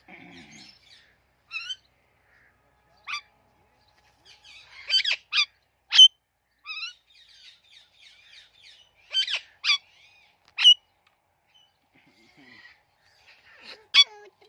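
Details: Sparse, sharp squawks and thin chirps from a talking parrot, spaced irregularly by pauses of one to several seconds.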